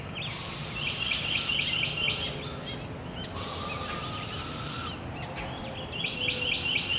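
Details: Two young barred owls are tended by their mother at Devil's Den Campground at dawn, 7am. Two long hissing screeches rise above rapid, repeated chirping songbird phrases in the morning forest.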